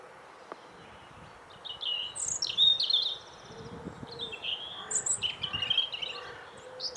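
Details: Bird song: bursts of high varied twittering and whistled notes with a short buzzy trill, continuing in a jumbled stream, over background noise and faint knocks.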